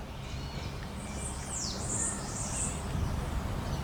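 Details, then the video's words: Southern lapwing with chicks giving high, harsh, shrill calls in quick strident bursts, over steady low rumbling background noise. "Quero quero com filhotes"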